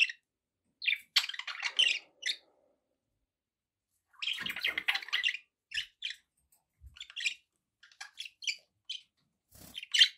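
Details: Pet budgerigars trading rapid, grating chatter and bright chirps, with two long warbling runs and then a string of separate short notes.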